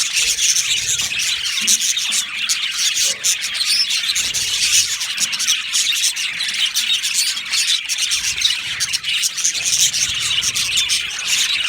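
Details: Many budgies chatter together in an aviary colony, with overlapping high chirps, twittering and scratchy warbling running steadily throughout without a break.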